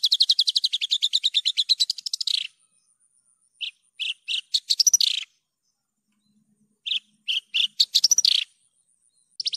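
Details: Javan bush lark singing energetically, recorded clearly to prompt other birds: a long rapid trill of evenly paced notes ending in a downward slur, then spaced single chirps, silence, and another chirp series finishing with a similar slurred trill.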